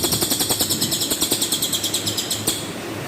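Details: Cililin in tembakan kasar style, a rough volley used as master song for training contest birds: a steady harsh, crackling buzz pulsing about three times per second throughout, ending abruptly.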